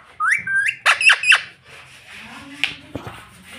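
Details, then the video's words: Pet parrot talking, said to repeat "mummy": a short run of whistled, rising notes and sharp bursts in the first second and a half, then quieter room noise with a few faint clicks. "Talking parrot Mummy Mummy"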